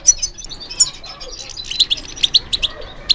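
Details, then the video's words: Goldfinch responding to stimulation with a short run of high, thin chirps and twitters, notes quickening and growing stronger in the second half. "How to encourage the goldfinch to respond to stimulation"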